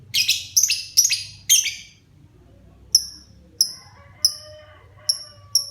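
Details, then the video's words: Lovebird kept as a child's pet, beginning to sing vigorously: four coarse, buzzy chattering bursts, then a slower string of thin, piercing tweets about every half second, over a soft low hum. "Burung LB mulai gacor"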